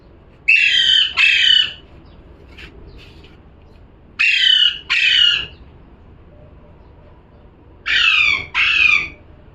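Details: Parrot calling repeatedly: three double squawks, harsh and raspy, spaced roughly every three to four seconds, with faint soft clicks in between.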